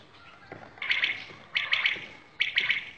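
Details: Common quail, called batair, recorded at a village in Shahbazkhel during quail hunting: three crisp, high, clipped notes in quick groups, repeated roughly every eight tenths of a second against a quiet background.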